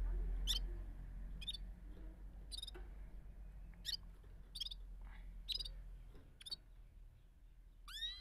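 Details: Bulbul, locally called gulsar, singing in the rolling balkashal style: short sharp chirped notes scattered irregularly about three times a second, ending with a rising whistled sweep, over a low steady background hum.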